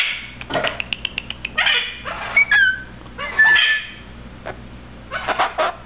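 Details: Pet Eleonora cockatoo, a male, kept at home, talking and whistling while rubbing his beak on a shirt: a run of quick clicks, then short clear whistled notes and harsh chatter, with a person speaking nearby.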